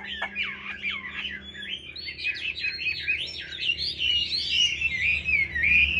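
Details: Looping whistled notes from a caged Chinese hwamei flow into a dense, rambling warble of high twisting phrases that rises in volume.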